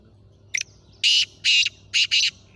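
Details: Four-month-old young male black francolin calling: one short sharp note, then four loud, harsh, rasping bursts, the last two close together as a pair, over a quiet low hum.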